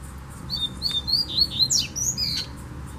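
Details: Double-collared seedeater, a wild bird heard far off in bamboo, delivering a rapid series of about eight high whistled notes, short downslurs then sharper rising twitters near the end, with faint hiss and low rumble beneath.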